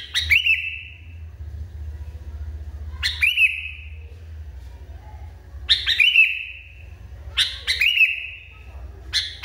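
Sooty-headed bulbul giving an excited, repeated phrase about every three seconds: a sharp chattery burst, then a clear, slightly falling whistle. A low hum runs underneath.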